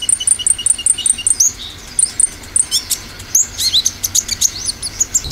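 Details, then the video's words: Dominant 'tembakan' song of an olive-backed sunbird, used as a lure: a quick run of identical shrill notes, a short pause, then varied upward-flicking chirps and twitters. "Pancingan konin dominan tembakan"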